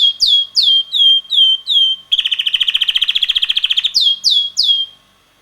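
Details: Young red male canary, about six months old, singing: a series of clear downward-sweeping whistles repeated about every half second, a quick buzzy rolling trill, then more slurred whistles before falling silent.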